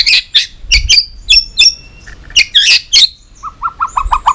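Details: White-rumped shama singing hard in competition while flicking its tail: harsh, buzzy chip bursts repeated in a broken rhythm, then a quick series of short mid-pitched notes near the end.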